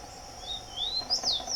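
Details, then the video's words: Rufous-collared sparrow singing in the wild: clear high whistled notes sliding up, then a quick burst of sharp descending slurred notes, over a steady insect drone and faint low hum. "TICO TICO soltando a VÓZ na NATUREZA"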